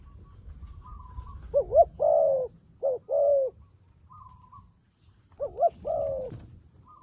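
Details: Captive decoy dove cooing to call wild doves down: two bursts of mellow, low coos, each a quick pair of notes then a drawn-out wavering coo, separated by a pause, with a soft whistle in the background.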